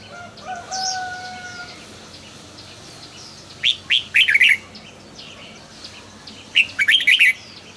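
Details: Caged red-whiskered bulbul giving two quick bursts of bubbly whistled notes, preceded by soft steady whistles from another bird.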